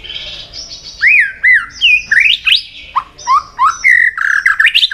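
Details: White-rumped shama, fired up, singing competitively in many voices: a run of loud, clear whistled phrases that slur up and down, with rising sweeps and short notes that follow fast one after another.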